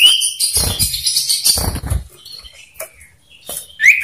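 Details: Dueling male common iora in captivity, singing loud 'ngetir meriwit nyipow' variations as a lure for other ioras. Thin high whistles and chatter overlie low fluttering thumps, ending in a sharp rising whistle.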